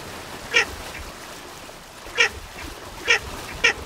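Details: Four clipped, nasal quacks from Baer's pochard, widely spaced at first and then closer together, with faint hiss behind.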